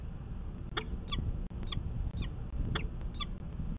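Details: Peregrine falcon at its Manchester, New Hampshire nest ledge on 24 March 2020, female laying her first egg, male puffing nearby; six short harsh descending notes spaced roughly half a second apart against constant low background noise.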